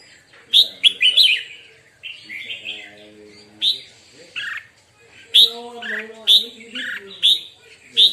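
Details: A red-whiskered bulbul practising its morning song: lively whistled phrases of quick slurred notes, repeated in energetic bursts roughly every second, with people talking quietly in the background.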